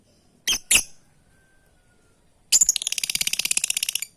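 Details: Lovebird calling companions: two quick sharp chirps, a pause, then a long rapid buzzing chatter of many harsh pulses lasting over a second and a half.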